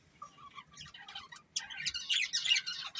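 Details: Pet budgerigars from a breeding pair: soft, sparse chirps at first, then a sudden loud outburst of fast, jumbled, buzzy chatter.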